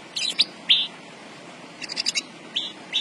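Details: Javan bush lark, a caged songbird in fine singing form, gives a few short high chirps and buzzy notes separated by pauses.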